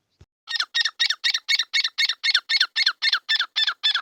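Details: A pair of grey francolins in a field. A steady series of about fourteen harsh, squawking notes, roughly four per second, evenly spaced and loud, with no other sounds.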